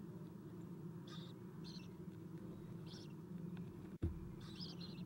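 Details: Owlets being fed in an owl nest, filmed by nest camera at 7:04 am on 11 April 2016; several short high rasping squeals, a sudden click, then a longer harsh chittering burst over low hum.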